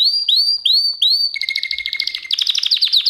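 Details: Canary tutor song played for pet canaries to learn: four rising whistled notes, each repeated about every third of a second, then a rapid chattering trill over a steady lower whistle, ending in a fast buzzy roll.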